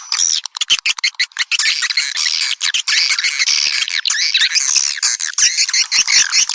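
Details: Swiftlet attraction call: a few quick stuttered chirps open, then merge into a continuous, bright twittering chorus of squeaky, overlapping notes, with thin piping whistles near the close.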